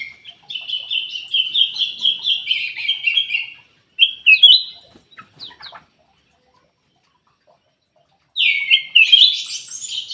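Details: Black-crested bulbul song used as a lure to prompt reluctant kept birds to sing. Bright, warbled phrases repeat rapidly for about three seconds. Short bursts follow, then a pause, and a final rich phrase.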